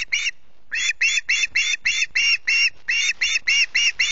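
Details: Hungry osprey chick at Loch Garten on 14 August, early morning, screeching: harsh, ringing notes repeated about three to four times a second in a steady run after a short opening call, with faint background noise.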